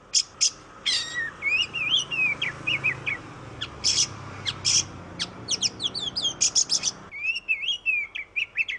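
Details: Oriental magpie-robin from Indonesia pouring out a fast medley of sharp high chips, trilled notes and wavering whistles, almost without pause, over a low background hum.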